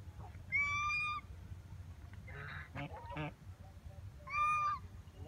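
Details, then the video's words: Ducks swimming in a pond at JP Palace, Agra, on a November morning around 6 o'clock: two clear, nasal, tonal calls about four seconds apart, with fainter harsh calls in between and low background rumble. "sweet sounds of duck"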